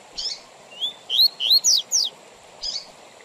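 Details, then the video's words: Double-collared seedeater singing the Tui Tui Zel Zel song style, a tutoring recording with pauses for teaching young males and for tournaments; a short burst of clear whistled notes, rising slurs then quick descending strokes, between quiet gaps with a steady faint hiss. "Tui Tui Zel Zel Com Intervalos Para Encarte de Coleiros e Papa capim"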